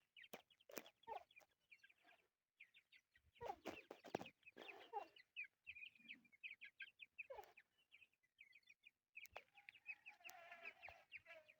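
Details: Chukar partridge chicks; dense bursts of shrill peeping and chittering notes, with handling noises and rustling between the bursts.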